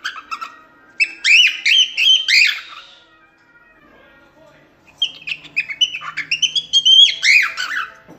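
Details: Cockatiel singing a training song meant to teach chicks: quick rising and falling chirps in two busy bursts separated by a short lull, bright warbling notes.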